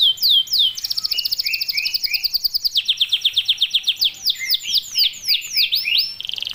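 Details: Chatty 'gacor' canary song of dense rapid bursts, used to train young birds to sing: a sweeping high opening, then steady buzzy trills of short repeated syllables, changing pitch every second or so.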